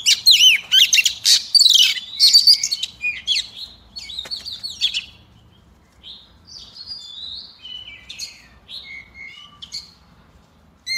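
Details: Female Oriental magpie-robin singing to stir up the males: a rapid, loud run of varied whistled and chirping notes with sweeping slurs, then softer scattered whistles fading toward the end.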